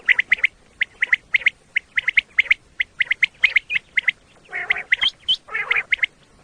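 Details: Common quail call used for quail hunting in Pakistan: sharp, liquid three-note 'whit-whit-whit' phrases repeated steadily, with two brief harsher, broader bursts breaking in near the end.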